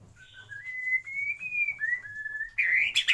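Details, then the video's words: White-rumped shama in a breeding aviary sings a long, smooth whistle that rises gently, dips, and levels out, then ends in a burst of harsh, buzzy notes. "Kicau Murai Batu"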